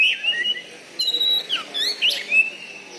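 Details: Caged Oriental magpie-robin (kacer) from Bengkulu giving a brief run of wavering whistles and a clear held note.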